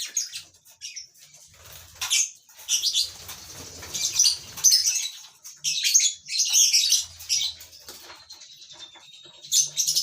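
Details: High-pitched lovebird chatter from a colony breeding flock in captivity, made of dense overlapping shrill bursts with brief pauses and occasional scraping or fluttering noises.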